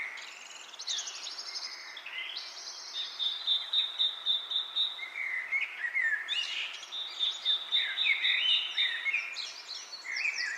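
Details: A lively bird chorus mixes scratchy twitters, buzzy notes and downward whistles with repeated bursts of a quick, evenly spaced high trill.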